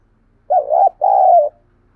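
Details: A spotted dove's throaty double coo, aimed at stimulating wild doves to call back: a short rough note, then a sustained low coo that fades slightly at its end.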